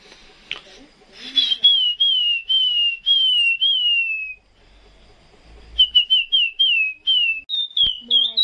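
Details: Caged Chinese hwamei singing at 2 a.m., being moved to Vung Tau: clear whistled phrases, a descending run of repeated slurred notes, a pause with faint rustling, then a second series of looping whistles.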